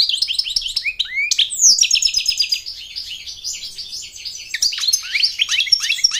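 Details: American goldfinch singing, a song said to attract a mate and teach chicks to sing: a fast, rambling run of high twittering notes and slurred rising and falling whistles, with a sharp upward sweep near the start.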